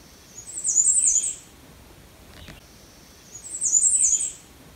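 Bay-breasted Warbler: two short bursts of very high, thin, doubled notes, under a second each, about three seconds apart. Only faint background hiss otherwise.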